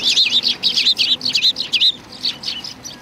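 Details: Sparrows come to be fed at a Tenmangu shrine, 25 November 2020: loud, clear, bouncing chirps in quick succession, about two to three per second, fading toward the end.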